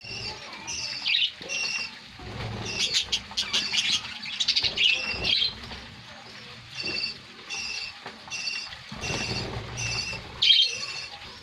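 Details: A kept colony of budgerigars chatters with bright, high chirps and squawks overlapping throughout.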